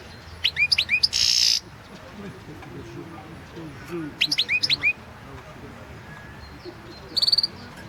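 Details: Competition recording of a European goldfinch singing at a goldfinch song world championship: two short bursts of high twittering chirps and a brief buzzy note, with long quiet gaps.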